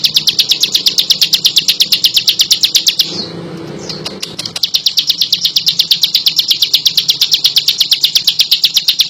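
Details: A bar-winged prinia sings a long run of rapid, high, evenly spaced chirps, breaks off for about a second amid faint rustling, then resumes the same quick repetitive pattern.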